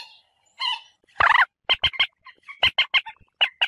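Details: Common moorhen calling as a lure for bird hunting: a nasal note, a harsh burst, then short sharp clucks in quick groups of three.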